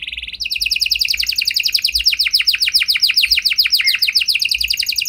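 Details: Canary performing a special song used to prompt other canaries into answering; after a brief steady note, rapid falling whistled sweeps repeat about three to four times per second in a bright, even run.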